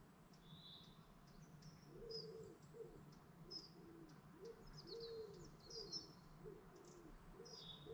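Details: Dawn chorus beside a lake in the Lake District national park: many birds sing together, with high thin chirps and whistles overhead and soft, low cooing phrases repeated through the background.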